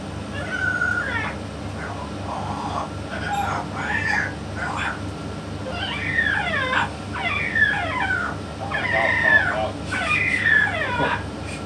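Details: Yellow-naped amazon parrot talking alongside a parrot expert: a run of raspy, harmonic, word-like bursts with sliding pitch, coming in uneven phrases about every second over a steady low hum.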